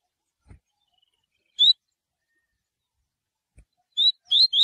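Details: Coleiro giving the tui tui song as a training model: a lone rising whistled note, a pause, then three quick upward-slurred whistles close together, with faint low knocks between.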